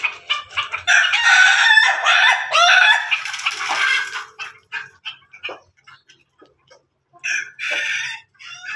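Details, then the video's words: Pelung and Ketawa chickens kept together. A loud, rough crow lasts about three seconds, followed by scattered clucks and clicks, then a shorter second crow burst near the end. "ayam pelung ayam ketawa bersama"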